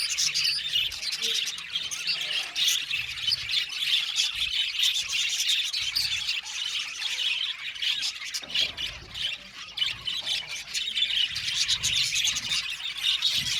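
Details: Australian budgerigars kept as an aviary colony keep up a long, unbroken chorus of high, scratchy warbles and chirps, loudness rising and falling slightly.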